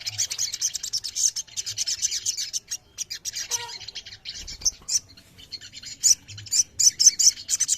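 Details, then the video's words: Ruby-throated myzornis in a crowd, singing together for bird-song therapy: high, thin twittering with pauses midway, a few lower isolated notes, then sharp repeated chirps returning strongly toward the end. "TERAPI OMBYOKAN SOGON LANGSUNG BUNYI"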